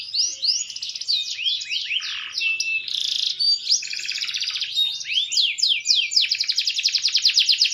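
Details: Green canary, maturing, with song said to improve with age: dense rapid trills and quick downward-sweeping whistled notes, high-pitched and continuous, ending in a fast buzzy repeated roll.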